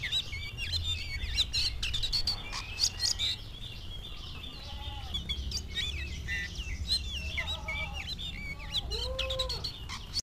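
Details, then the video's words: Oriental magpie-robin, a lively singing bird, bursting into energetic song on seeing a rival: varied, quick whistled phrases and slurred notes, rising and falling, over a steady low rumble of background noise. "KACER GACOR LIAT LAWAN LANGSUNG NGOBRA"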